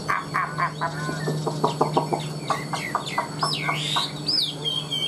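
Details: Caged Chinese hwamei producing choppy, clucking chatter notes in quick bursts, then breaking into a few long, looping high whistles, with a low steady hum underneath.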